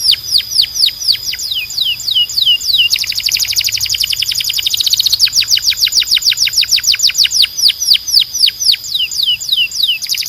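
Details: Loud, clear canary song of many repeated tours: drooping whistled notes at about three per second, a very fast rattling trill in the middle, then more series of falling slurred notes.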